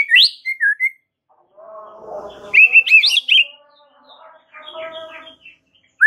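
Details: White-rumped shama master song: short whistled swoops, a noisy harsh interval, a burst of bright rising whistled notes, then softer harmonic calls and a final whistle.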